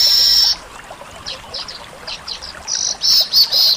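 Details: Weaver from Indonesia opening with a loud, harsh high buzz, then soft scattered chirps, and closing with three strong buzzy bursts.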